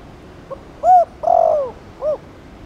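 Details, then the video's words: Thổ Đồng spotted dove giving chiêu and gù coos that stimulate other doves to coo. A soft pickup note, then a rounded arched coo, a long downslurred coo and a short final hoot in one phrase. "Chim cu gáy Chiêu + Gù kích bổi ức chế mau gáy"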